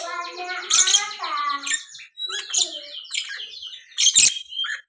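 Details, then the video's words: Young lovebird in training, described as "konslet" singing; harsh, scratchy chattering bursts with buzzy rasps and squeaky notes, delivered in three loud phrases separated by brief pauses. "calon lovebird konslet"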